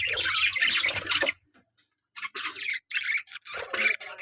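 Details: Budgerigars in a breeding colony, where a loud burst of chattering squawks stops briefly and then returns as short separate squawky phrases.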